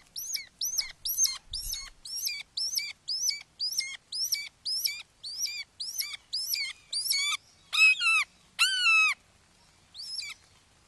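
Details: At a Wake Forest Red-shouldered hawk nest, 29 May 2023 at 08:38, as the father delivers a frog to a fledgling: a long even series of sharp down-slurred squealing notes, roughly two per second, ending in a few longer, louder wails.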